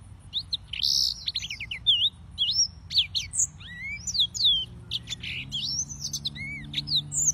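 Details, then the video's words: Yellow-fronted canary, Serinus mozambicus, singing a varied warble of arching whistles and buzzy notes, with a low steady hum appearing in the background later on. "(Serinus Mozambicus) White-tipped Green Singers Singing"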